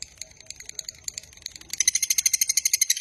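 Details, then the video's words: Lovebird long-trill recording for luring and training lovebirds: faint scattered chirps at first, then a loud, rapid run of shrill, evenly spaced pulses over the last second and a half. "Suara MASTERAN Burung LOVEBIRD Ngekek Panjang Paling Cepat Dan Ampuh Untuk Memancing"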